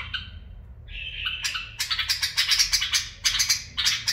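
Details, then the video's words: Bulbul delivering barwaz and mufara'a song styles, opening with a brief whistled phrase, then rapid loud chattering notes repeated in quick pulses. "برواز + مفاراه من بلبل طور"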